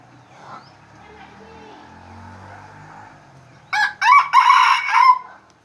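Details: Red junglefowl in Aceh, lured with an F1 hybrid, crows loudly in four rapid bursts near the end after a stretch of quiet low hum.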